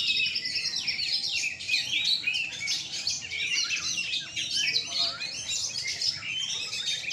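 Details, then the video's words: Night contest of kacer, Oriental magpie-robins, hung at a gantangan in Surabaya, Indonesia: a loud, continuous tangle of piercing whistles, quick rising and falling slurs and scratchy notes from several birds at once. "Lomba Burung Kacer mania di gantangan malam"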